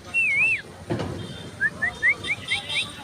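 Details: Female Asian koel calling: a run of about seven short, sharp rising notes repeated roughly every quarter second and slightly quickening, after a single wavering whistled note and a dull thump near the start.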